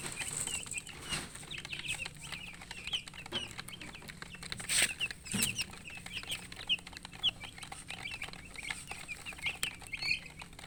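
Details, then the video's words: Poultry chicks peeping continuously with thirst for drinking water: high, short cheeps from many birds at once, a couple of sharp knocks midway, and a low steady hum underneath. "Murgi chicks Chirping sounds with thirst for drink water"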